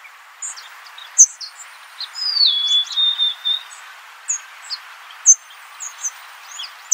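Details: Golden-crowned sparrow giving a single whistle that drops and then holds a lower note. Other small birds chirp sharply all around against a steady outdoor hiss.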